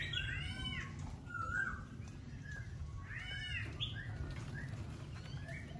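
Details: Laughingthrush in song: bursts of bright, arched whistles and quick slurred notes in two main clusters, separated by quieter gaps, with steady low background hum.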